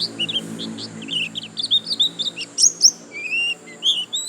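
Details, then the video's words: Chatty white-eye delivering 'gacor lasroll' song: dense, varied twittering of high piping and squeaky notes that climb and dip, with a few brighter falling whistles near the end and no long gaps. "Pleci Gacor lasroll"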